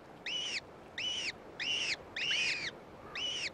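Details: Downy gyrfalcon chicks at a cliff eyrie after a gray female returns with prey; loud arched squeals repeated about every 0.7 seconds, some overlapping from two birds, over soft hiss.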